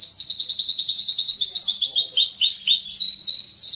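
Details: Mosaic canary song meant to stimulate mating and teach chicks, a rapid series of high, downward-sweeping chirps that slow into looser swooping notes.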